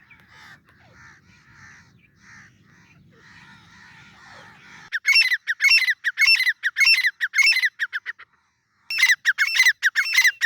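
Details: Grey francolin (Francolinus pondicerianus), call.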